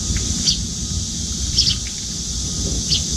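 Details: Nearly grown juvenile Eurasian tree sparrow with paler cheeks, fluttering its wings as it begs food from a parent at a window feeding spot; the parent puts food into its open beak. Three short high chirps about a second apart over steady hiss and low rumble.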